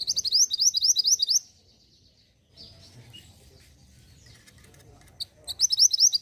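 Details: Mantenan gunung song, played to stimulate caged birds to sing: an opening burst of rapid sharp trilled notes, a pause with faint twitters, then the same quick high trill returning at the end.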